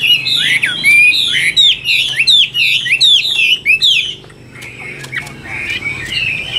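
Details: Chinese hwamei, Tam Hoàng type, praised for a machine-fast delivery. It gives a run of repeated, downward-sweeping whistled notes about once per beat for four seconds, then quieter, warbled phrases.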